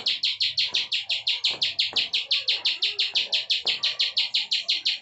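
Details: Bar-winged prinia repeating a crisp high note about three times per second in the continuous ciwah prenjak klik manner, with occasional soft knocks in the background.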